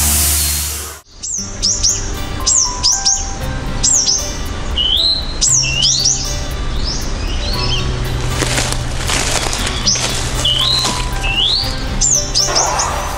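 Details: Eastern Bristlebird, a secretive, well-camouflaged songbird, calling in its habitat: repeated sharp, high whistled phrases with sweeping upslurs and downslurs every second or two, over background music and a low hum.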